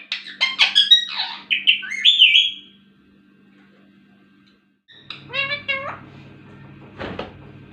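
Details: Indian ringneck parakeet, a talking pet, producing quick raspy speech-like syllables and squeaky chirps, a pause, then a few sliding notes and a sharp click, over a low indoor hum.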